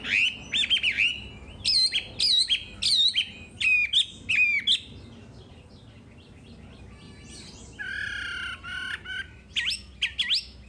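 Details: A Wambi songbird in a master song recording gives quick bursts of sharp, sweeping whistles and chattering notes, high-pitched and delivered in rapid clusters with brief pauses between.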